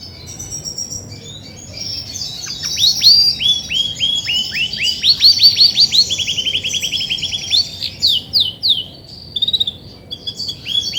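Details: Grey and white female Belgian canary, singing a lot as she is ready to brood; after a quiet start, long runs of rapid, repeated downward-sweeping whistled notes, fast trills and chirps, with a low steady background hum.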